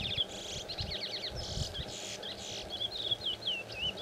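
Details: A Chestnut-bellied Seed Finch (Sporophila angolensis) sings a fast, varied run of clear whistled slurs and falling notes with brief buzzy bursts, over a faint background hiss.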